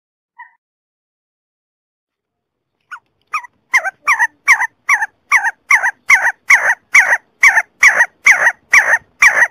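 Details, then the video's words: Mountain partridge: one soft note, then after a pause a run of harsh grating calls, about two per second, growing steadily louder; no other sounds. "Sesu Sesi Partridge Bird voice Sound"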